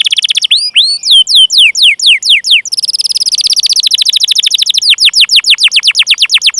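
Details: Long-singing canary used as a lure for canaries: sweeping downslurred whistles repeated about twice a second, giving way to a fast rolling trill of descending notes.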